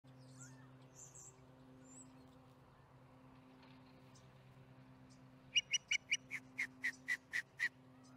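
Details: Osprey at the Charlo nest during dinner, July 15, 2019, 4:30pm MDT; after five quiet seconds with faint distant notes, eight sharp high chirps come in an evenly spaced run, over a steady low hum.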